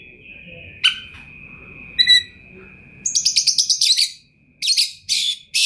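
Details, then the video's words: Oriental magpie-robin (kacer) song: a long thin steady whistle with a few isolated sharp notes, then a fast series of rhythmic clipped chips and harsh buzzy bursts, over a soft background rumble. "OCEHAN KACER TOP, GACOR DORRR ll JUARA FULL MATERI MEWAH 2021 !!!"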